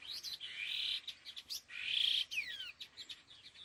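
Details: Laughingthrush (khứu lùn): two loud grating, buzzy bursts about a second apart, each followed by clear downward-sliding whistles and clicks, fairly close and prominent.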